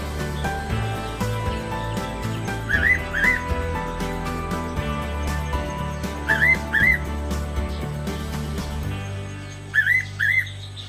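Fairy pitta giving clear paired whistles, each a quick double note, repeated about every three to four seconds over steady background music.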